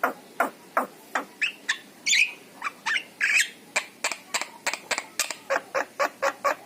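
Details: Javan myna with yellow eyes singing, used to stimulate caged mynas: a fast series of harsh, rasping notes about three per second, broken by two longer, buzzier whistled phrases.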